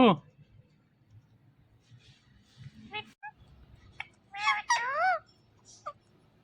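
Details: Indian ringneck parakeet known for talking: a quick descending squeak, scattered soft clicks, then a loud pair of wavering, speech-like warbled syllables and a short final note.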